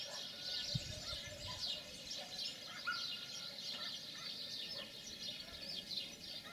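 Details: Wild European serin singing in spring at its nest, one of the first broods of 2018, out in nature; a fast, high, jingling twitter runs without pause over a steady low hum.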